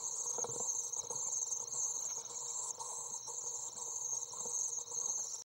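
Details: Common swift chicks, 24 days old, being fed in a nest box on June 23, 2012, keep up a thin, very high, steady buzzing trill throughout, with softer lower rustling and chattering beneath.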